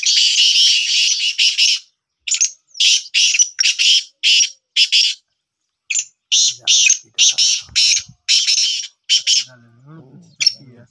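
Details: Pet black francolin, described as a Sindhi tetar, calling during a training attempt: rapid series of rasping, scratchy bursts that come about twice a second, with a man's voice heard faintly toward the end.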